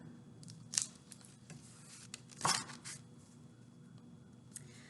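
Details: Only scattered crinkling, tearing clicks and a few sharp bursts over a low indoor hum, with no calling animal.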